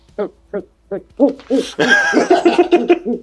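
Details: Otis, a captive Great Horned Owl at Medicine River Wildlife Centre, Canada, hoots indoors while being handled: five short, soft hoots about every third of a second, with a person talking over the later notes.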